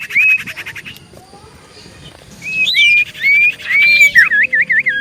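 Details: Common iora singing energetically, played as a lure to provoke replies: a flat whistled note, a fast buzzy trill, then rising and falling whistles ending in a quick wavy warbled run.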